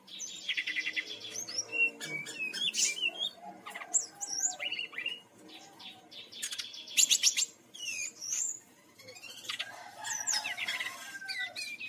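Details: Lure recording of a brown-chested jungle flycatcher from Bali: rich, varied song mixing crisp whistled slurs, rapid clicking bursts and buzzy trills, delivered in quick phrases with short gaps.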